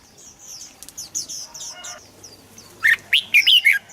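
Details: Red-whiskered bulbul singing, used to excite other birds: after soft high twittering, a loud run of five rich, liquid, warbling notes closes the phrase.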